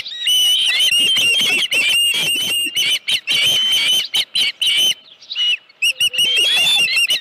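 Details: Osprey calling at a ranch nest on the morning of 31 July 2018 as a headless fish is present: dense series of sharp, high whistled chirps, a short lull, then renewed quick piping notes.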